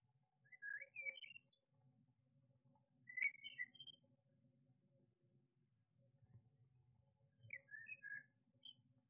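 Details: Eurasian blue tits in a nest box with chicks hatching, 10 May 2021, during a spell of rain and hail. The male parent brings food. Faint scattered high chirps come in short clusters, with a soft low rumble beneath.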